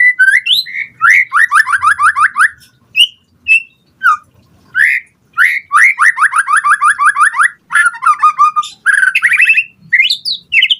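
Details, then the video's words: White-rumped shama song meant to provoke other birds to respond: rapid series of descending whistled notes in quick bursts, mixed with high chattering trills and short pauses between phrases. "Pancingan Murai Batu Gacor Cepat RESPON Langsung NYAUT Auto BONGKAR Buat Masteran Suara Burung Murai"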